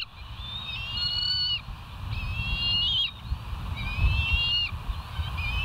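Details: Bald eagles at the West End nest, filmed on a live nature camera on 4 August 2023 at 05:22, give thin, high piping calls. The calls are drawn out in runs of a second or more with slight wavering inflections, in three bouts over steady low wind rumble.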